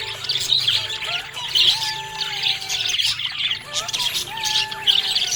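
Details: Cheerful budgerigar chirping, a rasping, twittering warble with louder bright chirps roughly every second and a brief quiet gap near the middle, faint tonal hum behind.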